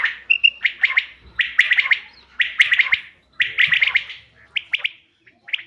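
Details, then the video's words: Common quail (bater), recorded 5 June 2025, call used as a hunting lure: bursts of three to five sharp, clipped chirps, repeated roughly once a second with short pauses between groups. "bater ki awaz shikar k liye behtareen awaz quail bird sounds for hunting بٹیر کی آواز"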